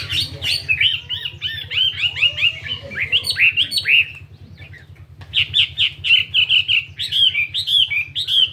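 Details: Chinese hwamei, a fighting-type bird weighing 72 grams, practising its song in the morning: rapid runs of rich whistled notes, repeated slurred phrases rising and falling, a brief pause near the middle, then more looping whistles; a steady low hum underneath.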